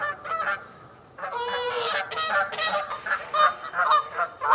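Canada goose giving a loud run of nasal, rasping honks, one after another in an uneven series after a brief quiet start.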